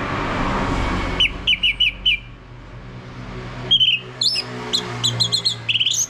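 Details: Orange-headed thrush phrases, played to draw song from a male in ngeplong style. Four clear whistled notes are evenly spaced. After a pause comes a livelier series of high, jumping notes, with low hum underneath.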